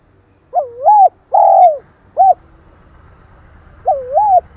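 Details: Spotted dove cooing to provoke and stimulate another dove: a low wavering double-humped coo, a longer drawn-out coo and a short clipped note, with the phrase starting again after about two seconds of quiet over a faint low hum.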